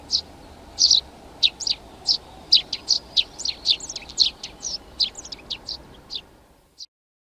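A Eurasian tree sparrow gives a steady run of short, bright chirps, roughly three a second, with a faint background hiss.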